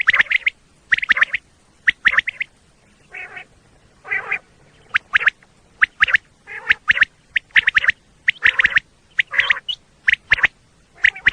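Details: Hunting lure for common quail in Pakistan: bright, clipped call notes in rapid groups, repeating about once a second, interspersed with short nasal, rasping bursts.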